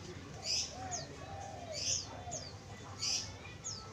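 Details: Lure spotted dove for attracting wild doves, cooing in soft, low, rounded notes in short runs, overlaid by loud high-pitched chirps of other birds returning roughly every one and a half seconds over a low hum.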